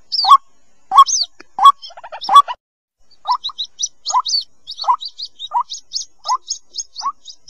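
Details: Lure recording of white-breasted waterhen chick calls for drawing birds out of scrub: a few loud squeaks, a brief pause, then steady soft peeps with a thin high overtone, roughly every half second.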